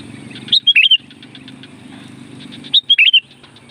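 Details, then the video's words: Loud sooty-headed bulbul song used as a call to draw in wild bulbuls: two brief warbling whistled phrases of four or five notes each. Soft pulsed chatter and a low vehicle hum fill the gaps. "SUARA BURUNG CUKUP AMPUH UNTUK PANGGILAN KUTILANG LIAR"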